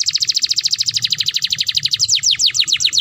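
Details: Canary song played to lure canaries into mating mood: a fast, even trill of sharp downward-sweeping notes, about ten per second, that shifts to slightly slower, broader notes near the end. A low hum runs underneath.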